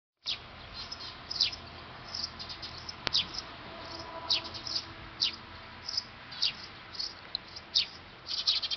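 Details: Eurasian tree sparrows at a nest on a factory roof, recorded with a D5000 camera: short, high chirps scattered irregularly, roughly one or two per second, with a single sharp click near the middle and a faint hum behind.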